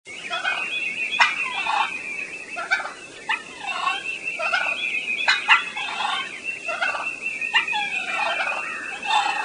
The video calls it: Turkey Cluck And Purr